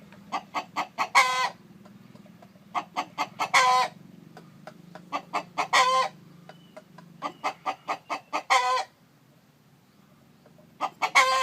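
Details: Chicken clucking on a farm where a hen sits on eggs: runs of short, sharp, harmonic clucks that quicken into a louder drawn-out note, a pattern heard four times over about eleven seconds against a low background hum.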